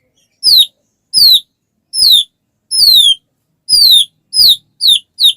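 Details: White-rumped shama, singing to prompt other shamas to sing, giving high thin descending squeaky notes repeated about once a second, each a clear downward slur.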